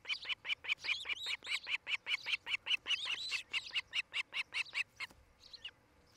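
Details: Osprey at a Charlo, Montana nest, recorded by a nest camera on 8 July 2018 in late afternoon, gives a steady run of about twenty-five loud, high whistled chirps, roughly two and a half per second, stopping abruptly near the end.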